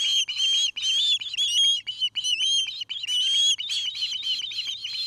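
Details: Nesting osprey in Charlo, Montana giving excited high whistles: a rapid string of sharp piping notes, some bending upward, delivered in bursts about once a second.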